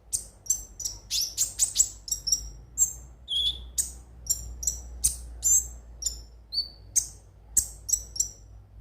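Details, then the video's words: Konin (ruby-cheeked sunbird) singing for lure use: steady, hurried series of very high, sharp chips and trills with a few slurred whistles, almost without pause; faint low hum behind. "pancingan suara burung KONIN agar rajin bunyi tiap hari"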